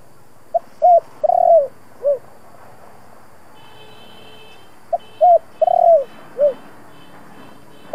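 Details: Spotted dove coo in the thổ voice, used to make decoy doves call and fight. Two four-note phrases come about four seconds apart. Through the second half, a faint high, evenly pulsed tone sounds in the background.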